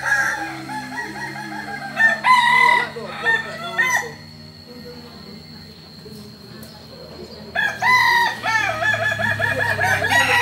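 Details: Kukuak Balenggek rooster, a chicken endemic to Solok, West Sumatra, Indonesia, at a joint practice gathering: two bursts of long, stepped, wavering crowing separated by a quieter stretch, with people talking and crowd noise throughout.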